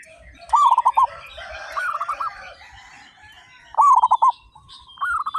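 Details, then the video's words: Local zebra doves, thirty-five of them, sing loudly: bursts of quick, bubbling coo notes from several birds, with a softer wash of distant cooing and high chirps between the louder phrases. "PERKUTUT LOKAL GACOR SUARA BESAR"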